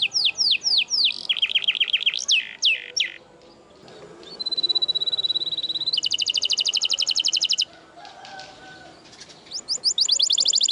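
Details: Canary, F1 SF crossbred, singing a varied, loud song: rapid falling whistled notes, a clipped trilled run, a long steady whistle, then a fast buzzy high trill, each phrase repeated several times in bursts.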